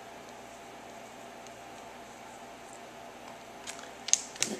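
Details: Quiet indoor room tone with a steady hum, ending in a few soft clicks and creaks; no animal voice is heard.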